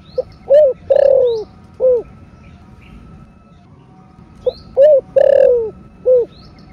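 A spotted dove gives two low, hollow coo phrases, each a short note, a note, a long falling coo and a final note, about four seconds apart. A faint steady hum sits underneath.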